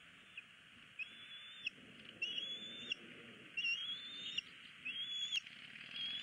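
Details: Begging bald eagle chick in a Southwest Florida nest, filmed by nest camera on 20 February 2016 while its parents withhold food. High, thin, squeaky calls, each rising slightly, come in quick succession over constant background hiss.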